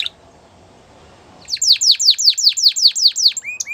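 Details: Singing canary: after a short quiet start, a steady series of about a dozen high, downward-sweeping chirps repeated roughly four per second, closing with brief higher notes.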